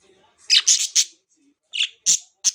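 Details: Pet budgerigars chirping indoors: a quick cluster of three or four sharp, harsh, squawky chirps, a short pause, then three more spaced bright chirps, with silence between the bursts.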